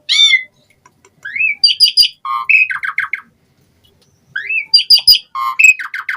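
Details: Jalak suren, the Asian pied starling, delivers two similar phrases separated by a pause: a rising slurred whistle, ringing metallic chips, then a falling fluty note and rapid stuttered notes. Each phrase lasts about two seconds.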